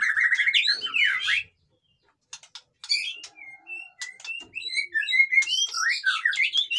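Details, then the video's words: White-rumped shama (murai batu) in busy song meant to spur birds that are lazy to sing: a burst of rapid warbling, a short silence, sharp clicks and short whistles, then tumbling fast phrases. "suara burung murai batu ribut cocok untuk dongkrak emosi burung yang malas bunyi"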